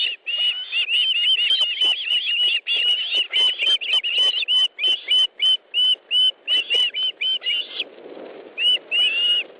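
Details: Osprey at a nest in Estonia on 1 August 2013 in the afternoon, during a fish delivery: rapid series of high, clear whistled yelps, repeated several times a second, slowing into separated notes near the end.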